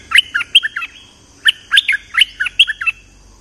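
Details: Bulbul lure recording of a lively, vocal bird: short bubbly phrases of three to four warbled, slurred notes. Each phrase is repeated about every 0.4 seconds, then again after a brief pause, over a faint high steady hiss.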